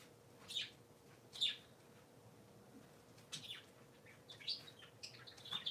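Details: Three pet parakeets chirping on a Sunday morning: short, high, bright chirps scattered through the stretch, some doubled, with quiet room hum between calls.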